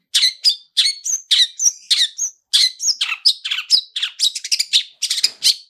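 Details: Chattering long-tailed shrike song packed with mimicry, used to get another bird singing: rapid, harsh high notes and short whistles in dense runs, broken by one short pause.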